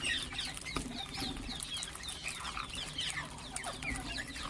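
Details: Several ringneck parakeets chirping and calling together, a dense stream of quick, harsh, downward-slurred chirps and squawks repeated without pause over a steady noisy background.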